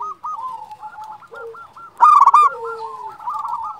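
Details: Champion local zebra dove calling actively: one loud burst of rapid, stuttering coos midway, set against steady softer cooing and low trilling from other doves throughout.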